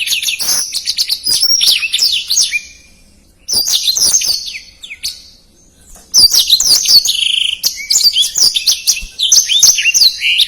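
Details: Fast, dense black-throated canary song, used as a master recording for singing contest birds: three energetic bursts of high, piercing whistled notes, chirps and short buzzy trills, separated by two brief pauses.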